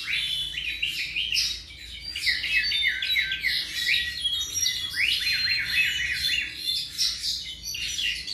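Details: Tropical mockingbird, about 7 months of age, sings rhythmic series of rising, slurred chirps repeated in quick runs with short gaps.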